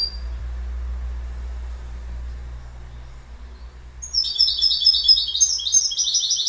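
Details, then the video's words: After a few seconds of quiet low background hum, a goldfinch bursts into rapid, sparkling twittered song, high and jingling, continuing to the end. "Goldfinch Bird Sound"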